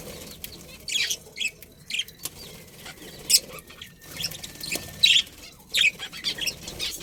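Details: Budgerigars in a breeding pair within a colony give scattered, sharp, high chirps and scratchy twitters spaced a second or so apart, over a faint, steady background hum.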